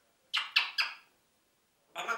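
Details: A pet talking parrot in Hammelburg, Germany, says "Hallo mein Schatz, mach mal Kussi": three quick, harsh, speech-like syllables in under a second, then a pause and another raspy burst.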